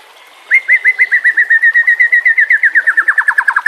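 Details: Captive-training song of the white-rumped shama: a steady fast trill of about twenty repeated whistled notes, slightly descending toward the end.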